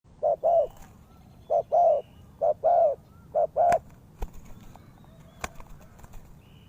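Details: Spotted dove calling as a lure for bird trapping: low, soft cooing in short-then-long pairs, four pairs in quick succession, followed by quiet background with a few sharp clicks.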